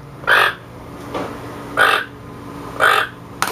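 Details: Captive toco toucan gives its croaking alert call, warning the flock of something it dislikes: three harsh, grating croaks about a second apart, each short and rasping, with a fainter croak between the first two, in a quiet room.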